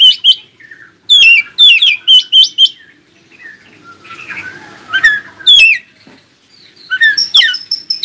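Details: Oriental magpie-robin singing to make other magpie-robins answer and sing. Loud bursts of bright, sharply slurred whistled notes: a quick run of four phrases early on, a rough scratchy passage midway, then high sweeping whistles and a sustained thin note at the end.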